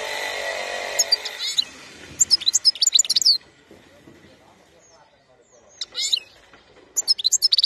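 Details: European goldfinch described as wild (khalawi), singing in bursts of fast, high twittering and tinkling chirps separated by a pause of about two seconds, with a faint hum at the start.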